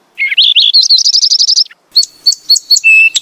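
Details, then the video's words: Rapid string of bright, clipped house sparrow chirps running together, followed by a few separate sharp chips and a steady whistled note. "HUNI NG MAYA / SPARROW SOUNDS"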